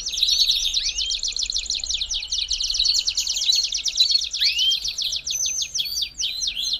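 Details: Belgian canary song to get a canary singing: sustained fast trills of high notes with two rising whistled swoops and scattered sharp chirps.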